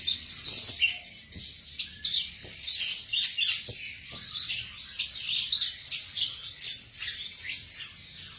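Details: Song of a male cucak cungkok, a busy stream of bright, high-pitched chirps and quick trills, phrases rising and falling in short bursts about every half second, with faint low background rumble.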